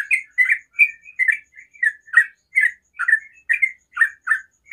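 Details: Sooty-headed bulbul singing in the morning: a quick series of short, rough, chattering notes, about two to three per second, each a brief buzzy burst with a slight rise or fall, steady throughout.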